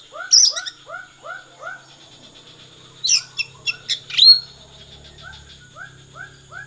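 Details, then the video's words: Oriental magpie-robin singing in the 'konslet' style: bursts of sharp, high scratchy notes and a bright rising whistle around the middle, over a steady series of soft, arched lower notes repeating about twice a second. "kacer konslet"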